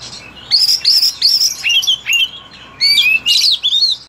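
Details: Young Oriental magpie-robin starting to learn its song, kept as a pet. Clear, loud whistled notes that rise, bend and drop, given in short bursts about twice a second, ending in a longer rising whistle.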